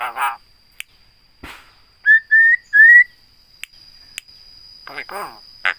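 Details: Talking Javan myna imitating human speech such as greetings and coughs: short raspy voice-like bursts open and close the sequence, with three clear level whistled notes in the middle and sharp clicks between.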